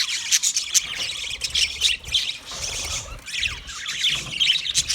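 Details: Chattering budgies give high bright chirps and squeaky squawks in rapid clusters, with a few piercing notes standing above a constant flock murmur.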